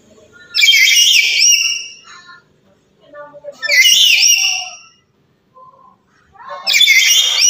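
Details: Loud calls from a black-capped lory of Papua, used to prompt other birds to call: three rasping, harmonic screeches about three seconds apart, with quiet chatter in the gaps.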